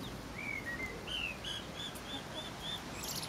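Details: Pekin bantam chicks, four weeks old, forage in a garden beside their silver laced Wyandotte hen, giving a quick series of short high peeps, the first few longer and sliding, the rest clipped and evenly spaced, over soft background noise.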